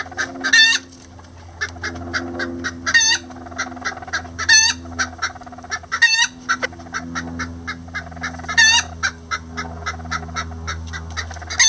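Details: Miniature Lavender bantam roosters and a hen building a nest; a long run of regular soft clucks broken by about six loud harmonic squawks spaced a few seconds apart, low hum underneath.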